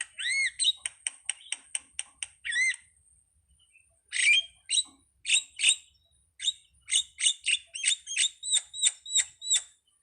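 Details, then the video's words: Anak rimba style song of a jalak starling: a fast train of clipped, ringing notes, a pause, then sharp chips repeated in an even, rapid series. "suwara //burung jalak//ala anak rimba"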